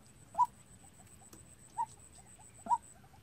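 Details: Trained decoy white-breasted waterhen calling to lure birds into traps; three sharp mid-pitched notes at uneven intervals, softer faint notes between them, and a light click in the background.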